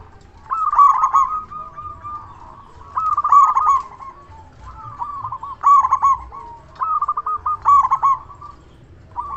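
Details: Zebra dove, local bird with a big voice, calling as a lure: four phrases of rapid, stuttering coos, each starting with an emphatic trill and trailing into softer even notes, spaced about two and a half seconds apart.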